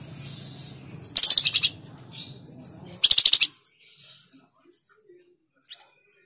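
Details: Flamboyan bird, also called tledekan jati, sings to prompt caged birds to sing. Two loud, high buzzy bursts come about two seconds apart, each a rapid string of about six pulses. A low hum sits underneath.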